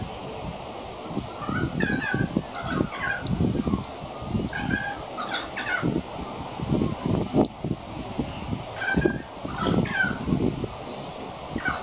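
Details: Young pied currawong practising its song: a series of short, slurred whistled notes, some falling and some rising, given in loose clusters, over steady rustling and low rumbling background noise.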